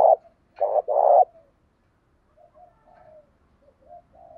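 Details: Spotted dove kept as a decoy for its good, orderly coo, meant to provoke other doves. Three loud low coos open, a short note then a longer one, followed by faint, thin, softer cooing fragments.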